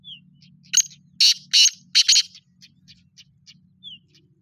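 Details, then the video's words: Black francolin delivering one harsh rasping phrase of four grating notes in about one second, with soft chips and a thin slurred whistle before and after, over a steady low hum. "Kale teetar ki khubsurat awaaz Kale teetar ki awaaz"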